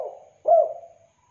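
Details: Spotted dove (tekukur) in active voice, used for luring and tutoring birds: a soft fading coo, then a louder, rounded hollow note with a slight upward swoop that tails off, with no other sounds.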